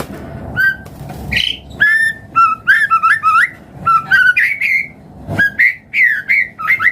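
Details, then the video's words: Lure song of a white-rumped shama to get other birds singing: sweet whistled phrases mixing level and rising notes, with quick slurred flourishes and a few sharp clicks. "Pancingan Murai Batu Langsung Respon Auto Bunyi - Masteran Suara Burung Murai Agar Gacor Full Isian"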